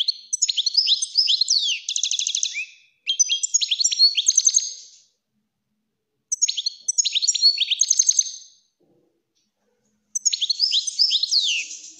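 European goldfinch singing four bright, tinkling bursts of rapid twitters and liquid trills, each about two seconds long, with short pauses between.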